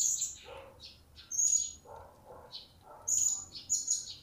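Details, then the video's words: Newly bought captive blue-crowned hanging parrot calling: piercing high whistled notes alternating with squeaky chirps and softer lower twitters, loud and uneven in rhythm. "Serindit Yang Baru Dapat Sudah Mulai Berbunyi???"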